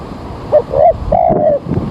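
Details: Spotted dove cooing, used as a lure for bird trapping early in the morning as rain threatens; soft, low hooted coos, a short note followed by two longer drawn-out notes, over steady background noise.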